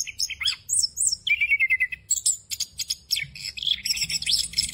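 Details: Orange-headed thrush (anis kembang) delivering 'ngerol full isian' song, a rolling outpouring of varied inserted phrases used to tutor other birds; sharp high chirps, a dipping whistled note, a rapid buzzy trill, then dense overlapping squeaky and churring notes.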